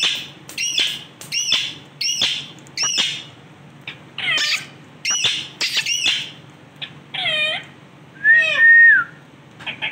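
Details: Male rose-ringed parakeet making repeated loud, grating squawks with ringing overtones, about two per second, then drawn-out bending screeches and a final clear whistled note.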